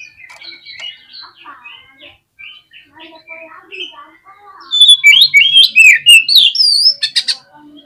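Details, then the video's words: Excited oriental magpie-robin song used to stir rival birds: a run of soft chattering whistles, then a loud, rapid series of sweeping, looping whistles and sharp notes in the second half. "SUARA KACER GACCOR CEPAT BIKIN EMOSI KACER NAIK DI GANTANGAN AUTO KONSLET"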